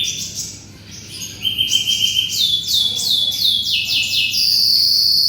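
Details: Vigorously singing canary, used as tutoring song for a magpie-robin: a steady high trill, then a fast series of bright downslurred notes, ending in a sustained, very high buzzy note.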